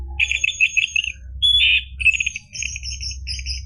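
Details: Orange-headed thrush singing as a lure to start a caged bird: trilled, rattling high phrases broken by short pauses, with one clear whistle, over faint low hum.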